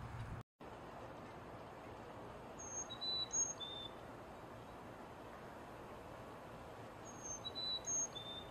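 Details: Carolina chickadee singing its high, pure whistled song: four-note phrases alternating high and lower notes, given twice about four seconds apart over a steady background hiss.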